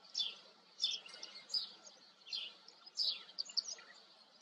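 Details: A white wagtail uttering clipped, high twittering notes, some doubled, spaced irregularly about every half second with brief pauses, against a quiet low hum.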